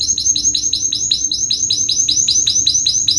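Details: Canary song made of one downswept whistled syllable repeated steadily about five times a second, bright and high.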